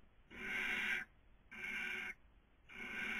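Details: Nest webcam, Cabañeros National Park, Spain, 2020 breeding season: a barn owl gives steady rasping hisses about a second apart, three bursts of even loudness and length.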